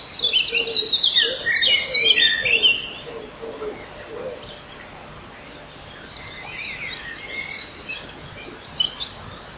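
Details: Common kingfisher nest, 12 May 2013, morning: male and female jostle in the tunnel before he feeds the young. Loud rapid burst of high chirps and trills for under three seconds, then faint scattered chirping.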